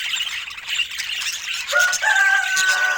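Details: Budgerigar chirping and warbling with scratchy, overlapping notes. About halfway through, a clearer steady whistled tone rises out of the chatter and holds to the end.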